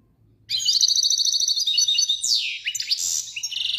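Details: European goldfinch singing a rapid string of high, liquid twitters, then steep falling sweeps and nasal buzzy notes, before returning to quick tinkling twitters.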